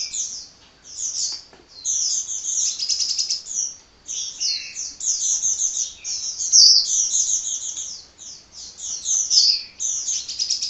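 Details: Hummingbird chattering tirelessly: long strings of sharp, very high chips and trills, phrases rushing one into the next with only momentary breaks.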